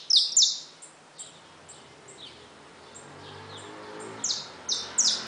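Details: Caged saffron finches with newly hatched chicks: two sharp downslurred chirps, then faint soft notes and a low background hum, ending with three more bright falling chirps.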